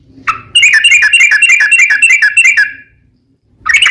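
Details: Sooty-headed bulbul giving an extended rapid song, a dense run of quick repeated bubbly notes lasting over two seconds, followed by a fresh phrase after a pause.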